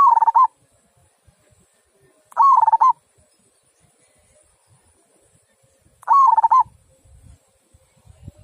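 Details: Repeated 'kung' style song of a local zebra dove: three short, bubbling phrases of rapid trilled coos, each opening with a rising slide, spaced about two to four seconds apart over a quiet background with occasional low knocks.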